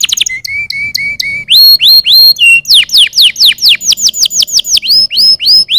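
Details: Canaries singing to stimulate other birds to sing: clear whistled notes repeated about twice a second, then a fast run of loud, sweeping chirps falling from high pitch, several each second.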